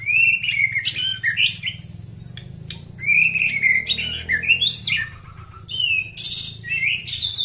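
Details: Morning song of a white-rumped shama, or murai batu, in rural Klaten, Central Java. Loud bursts of rich, rapidly changing whistles and chatter come in two long phrases with a short pause, over a low steady hum.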